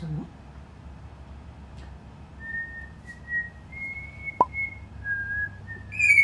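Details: Pet cockatiel practising a song note by note, checking each pitch, whistles a slow series of clear, held notes, each about half a second, stepping up and down in pitch, over a faint room hum.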